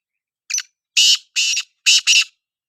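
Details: Black francolin, known locally as kala teetar, giving a loud call of five harsh, grating notes within about two seconds: a short opening note, then longer rasping notes, the final two closely paired. No other sounds.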